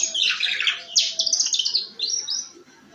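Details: Canary with harsh 'ngeriwik' song meant to coax other canaries into singing: loud rasping jumbled notes, then rapid buzzy trills and rising whistled phrases that tail off.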